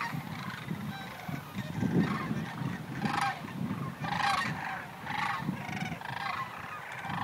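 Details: ["Sandhill cranes staging at Creamer's Field Migratory Waterfowl Refuge in Fairbanks, Alaska, before migrating to Texas; rolling calls rise repeatedly over a dense, rumbling background of many birds."]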